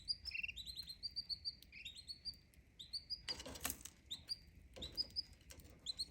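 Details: Canary giving short high chirps in quick series, paired and tripled notes repeated through the clip, with a faint steady tone beneath and a brief burst of wing flapping or rustling midway.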